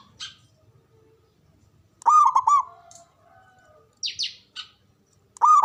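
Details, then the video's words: Local Javanese zebra dove, loud with a long breath, whose natural voice draws rivals to answer: a bold cooing phrase of quick linked looping notes, then another starting at the end. Scattered high chirps from other birds come between the phrases. "Pancingan Ampuh❗Pendongkrak Birahi Perkutut Biar Cepat Fighter & Bermental"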